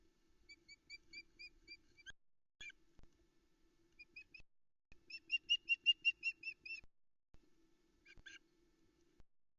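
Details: Female Osprey at a nest in the Arkaig Community Forest, Loch Arkaig, 13 July 2020, early morning, calling for fish after the male delivers a trout to the chicks. She gives short whistled chirps in steady runs, with a faint constant hum underneath.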